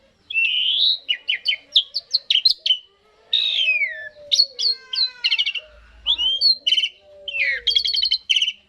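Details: Asian pied starling singing, played to get starlings to join in: a long run of fluting whistles, slurred upsweeps and rasping harmonic bursts in quick phrases, pausing briefly mid-sequence before resuming.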